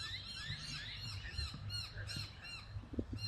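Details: Australian magpie (Gymnorhina tibicen, subspecies telonocua) giving a run of squawky, arching calls with rich harmonics, repeated several times a second, over a low rumbling background.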